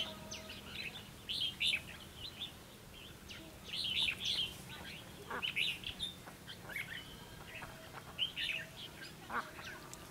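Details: Red-whiskered bulbul singing in a fight-trapping setup meant to lure rival birds into a trap. Short bright whistled phrases repeat every second or two, interspersed with thinner chirps over low background hiss.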